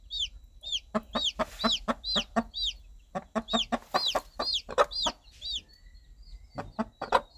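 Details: Hen softly clucking to her newly hatched chicks in the countryside, leading them to food and safety; rapid runs of short clucks mixed with many shrill, falling chick peeps, busier toward the middle.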